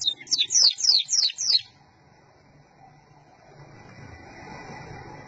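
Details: A loud-singing local canary gives a fast run of six high, downward-sweeping whistles in under two seconds, then falls silent over faint room noise.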